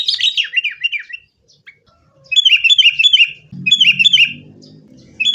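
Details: Sooty-headed bulbul fighting song used as a lure for caged bulbuls: rapid trills of falling chirps in three bursts with pauses between, and a low humming noise beneath the later part.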